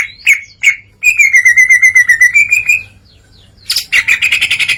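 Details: Greater green leafbird in open 'ngeplong' song: two loud whistled notes, then a fast even trill of rising and falling notes for about two seconds, a quiet gap, and a dense burst of harsh chattering.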